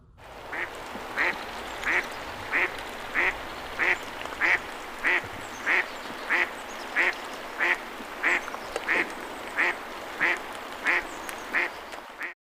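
American Black Duck quacking steadily, about one loud nasal quack every two-thirds of a second, a rhythmic series much like a Mallard's, perhaps a touch deeper.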